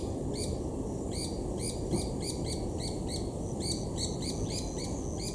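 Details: Chasing a related Black-collared Barbet, White-eared Barbets call noisily at Imvubu Lodge, KwaZulu-Natal, South Africa, in July 2019; rapid series of rasping notes, steadily repeated, with low continuous rumble underneath.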